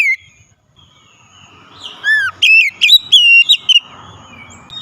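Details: Oriental magpie-robin singing as a lure for a silent bird: a descending whistle followed by a quick run of ringing, wavering whistled notes, with soft low background noise.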